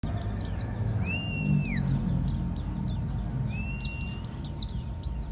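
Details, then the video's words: Local Banten buktoni white-eye singing in the rolling, shooting ngeroll tembak style: bursts of quick, high, downward-slurred chirps, with a long, steady, slightly rising whistle between them. A faint steady hum runs underneath. "buktoni lokal banten ngeroll tembak"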